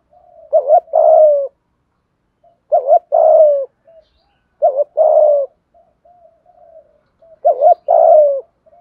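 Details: Spotted dove cooing in the 'thúc gù' style, played to make wild and decoy doves coo: four phrases, each a quick doubled note followed by a long, slightly falling coo, roughly every two and a half seconds, with soft faint notes between.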